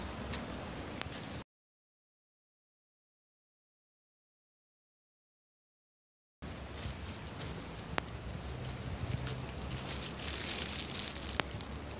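Rustling and handling noise with a few sharp clicks, broken by a long silent gap, and no clear animal voice.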